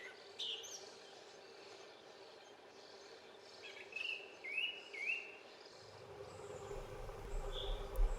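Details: In early May, a disturbed Song Thrush gives a few sharp, short alarm notes at irregular gaps, a call that may mean a nest is nearby and may be meant to draw attention away. Steady insect-like hiss, low rumble near the end.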